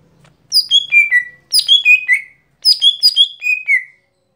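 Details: Lesser green leafbird giving its daily song: three loud phrases, each a run of clear whistled notes stepping down in pitch, separated by short pauses. No other sounds.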